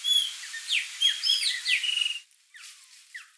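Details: Chopi blackbirds, also called graúna, in a flock at a feeder: bright whistled notes and quick downward-slurred and rising phrases overlap for about two seconds, then two fainter slurred notes follow after a pause.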